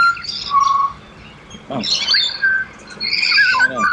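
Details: Pied butcherbirds (Cracticus nigrogularis) in Australia, several birds present, singing clear, flute-like whistles: a steady mid-pitched note then rising and falling phrases, with overlapping chirps from a second bird.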